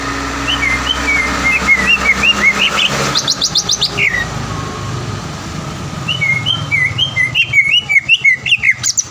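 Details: Greater green leafbird (cucak ijo) singing as a lure to provoke a rival into song: a run of quick whistled and chirped notes, a buzzy burst, then more fast chirps, with traffic noise rumbling underneath.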